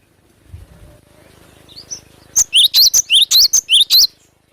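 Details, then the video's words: Timor sparrow (glatik batu) song: after a faint thin whistle, a rapid series of about eight loud, sharp, high chirps, each a quick rising sweep, delivered roughly every quarter second, with a low hum beforehand. "Pancingan Suara asli burung glatik batu gacor"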